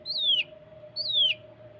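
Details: Cucak kinoi song in 'tembakan rapat' style, used as a training recording to prompt caged birds to sing: two loud, high whistled notes sliding steeply downward, each about a third of a second, over a faint steady low hum.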